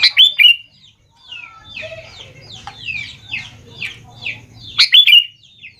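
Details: Sooty-headed bulbul lure song to prompt young birds to answer. It opens and closes with loud, bubbly whistled phrases, with a series of softer, falling chirps and a faint hum in between.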